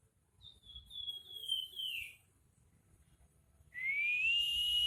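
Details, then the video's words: Crested jay singing actively in a whistling 'nyiul' style: a long clear whistle that slides gently downward, then after a pause a pure whistle rising steadily and holding high, with faint low background rumble. "Burung pelamboyan gacor nyiul"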